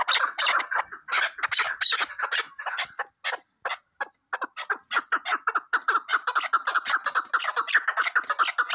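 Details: Chukar partridge giving rapid, raspy clucks that start packed together, thin out briefly with short gaps in the middle, then build back into a steady rhythmic chatter.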